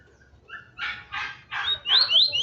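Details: A Bahia-type double-collared seedeater, excited by a loose female, sings a fast run of buzzy, scratchy bursts ending in sharp, high whistled upslurs repeated about twice a second.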